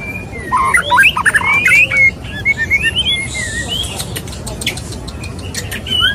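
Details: Male white-rumped shama wooing a female; a loud burst of quick whistled notes and chatter early on, then softer, scattered slurred whistles over a hissy background.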